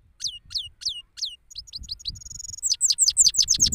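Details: ['Male European goldfinch singing in an open place in Pakistan: several separate falling high notes, then a quick series of short chips and a brief buzzy trill, building into a loud, rapid run of sliding twittering notes.']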